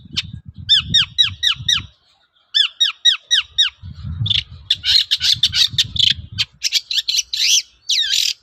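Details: Long-tailed shrike singing as a lure to stir other shrikes into answering: quick series of repeated curved, down-slurred whistles, then dense harsh chattering and scratchy notes over low rumbling background noise.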